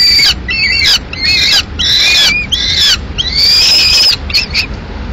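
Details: Female peregrine falcon arriving at its Madrid nest at mid-morning with remains of a pigeon; piercing, grating screams, including one long level wail near the end, in loud bursts with brief gaps.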